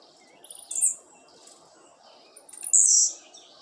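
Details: Blue-black grassquit, a breeder's bird, gives two sharp, high, buzzy song bursts about two seconds apart, each preceded by quick faint ticks, against a steady low outdoor hum.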